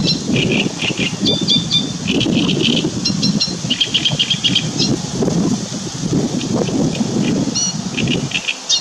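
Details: On 2 June 2017, a great reed warbler delivers its song: rattling, croaky notes repeated in fast runs, broken by brief pauses and a higher squeak, set against heavy low background rumble.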